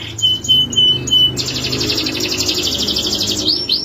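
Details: Male canary giving a few clear whistled notes, then launching into a long dense high trill and finishing with two looping swept notes.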